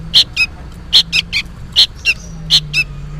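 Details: Juvenile sooty-headed bulbul, loud and noisy, seemingly calling for its parent: short harsh chirps, mostly in pairs, repeated about every half second over a low steady hum.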